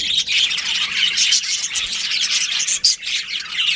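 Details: Budgerigars in a colony with a breeding pair give nonstop warbling chatter, mixing short whistled notes, scratchy squawks and rapid tweets, with two brief quieter gaps.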